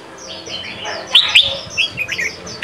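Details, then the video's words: Sông Kon style singing of a Red-whiskered bulbul, meant as a training song for young birds: two loud sharp notes, then several quieter chirped phrases and a final sharp note over a busy background of warbling. "Chào mào hót: 35 phút Luyện giọng Sông kon mỗi ngày! เสียงฝึกลูกนก | นกปรอดหัวโขน"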